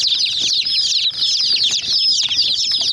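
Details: A crowd of young hen chicks attacking a miniature toy jeep, their shrill overlapping cheeps forming a steady high chatter, with soft pecking and tapping sounds in the background.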